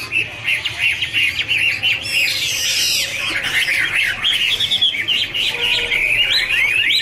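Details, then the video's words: Duetting hwamei dancing and singing, a rapid jumble of short chirped and upswept notes, dense and irregular, with a burst of higher notes midway. "Birds Garrulax canorus singing: dancing, duet fin wings, wonderful warble songs"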